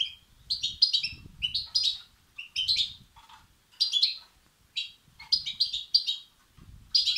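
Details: Goldfinch nestlings calling for food, a recording meant to stir up males; high, rasping twitters in grouped bursts with brief pauses, plus a faint low rumble beneath.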